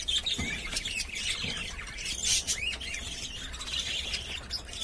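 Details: Caged pet budgerigars chattering: a steady stream of high, scratchy chirps and warbled twitters with short squawky notes, fairly continuous and busy throughout, with a faint low hum underneath.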